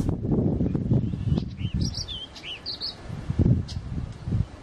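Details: Orchard oriole singing: a short series of quick, slurred whistled notes, some rising and some falling, given in a loose cluster, over steady low rumbling background noise.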